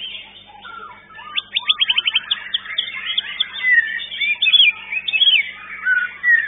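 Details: White-rumped shama (murai batu) singing at a bird-singing contest in an arena, where it placed fourth: a rapid train of clipped repeated notes, then varied whistled slurs and chatter, with other birds faintly audible.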